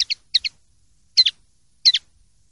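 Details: Common linnet song, clean recording: short bright twittering double notes given in pairs, brisk chirps spaced about half a second to a second apart, with silent gaps between phrases.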